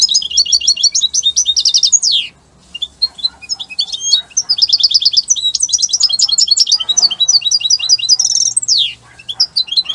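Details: European goldfinch from Italy in strong, lively song: rapid bright twittering trills and tinkling notes, broken by buzzy descending sweeps near the second and ninth seconds, then a brief pause before the jangling phrases resume.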